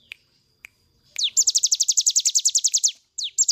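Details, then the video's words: A cigun bird's song, used for training other birds. A few isolated sharp clicks precede a long burst of quick, high, evenly spaced notes after a falling slur. A new burst starts near the end. "intip cigun nembak nembak cocok buat masteran"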